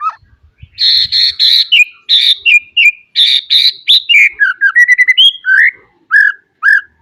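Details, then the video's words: White-rumped shama song with full mixed phrasing, used as a training recording for young birds to start singing; buzzy rattling bursts at first, then varied whistled notes rising and falling, in quick succession. "Kicau Murai batu full isian, cocok buat pancingan masteran Murai bahan agar cepat bunyi & gacor."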